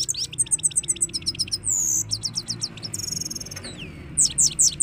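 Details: European goldfinch song, rapid high twittering runs of sharp repeated notes, buzzy trills and liquid slurred whistles in quick succession, over a constant low background hum.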